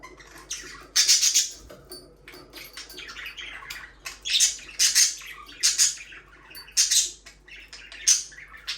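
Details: Budgies squawk and chirp in loud, buzzy bursts roughly every second, with softer twittering filling the gaps between the louder calls.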